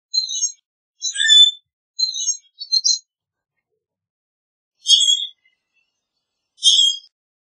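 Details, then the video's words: Common grackle chirping: a quick series of four harsh squeaky chips, then two louder shrill metallic squeaks after a pause. "Common Grackle Song! Common Grackle call! Common Grackle - Zanate Norteño Canto"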